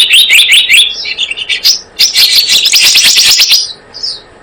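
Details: Blue-eared kingfisher lure sound: dense, rapid shrill notes blurring into a continuous high-pitched trill lasting several seconds, ending with a short thin whistle.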